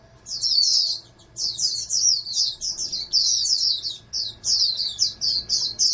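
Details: Oriental white-eye bred in captivity as a future national champion sings a dense, high, chattering song of fast downslurred notes, nearly continuous after a short pause near the start; faint hum behind.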